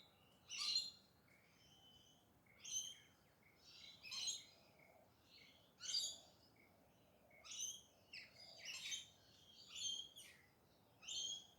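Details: Pink parrots (galahs) calling in urban Perth, Western Australia, in the early morning: harsh, screechy bursts arriving irregularly every one to two seconds, some doubled, over a faint steady background hum.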